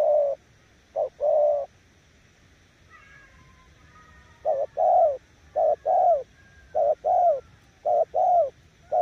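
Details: Decoy spotted dove in 'gù' coos: two opening paired low notes, a pause filled by a sliding higher whistle, then regular husky short-long note pairs resume.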